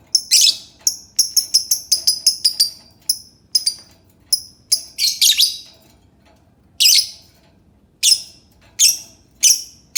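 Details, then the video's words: Lovebird giving sharp, high chirps, first in a fast chattering run of short notes, then louder single shrill calls spaced about a second apart. "Suara Burung Lovebird"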